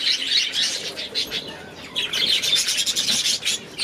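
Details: A flock of aviary budgerigars trades rapid high chirps and buzzy warbled notes that overlap almost without pause, rising and falling in loudness.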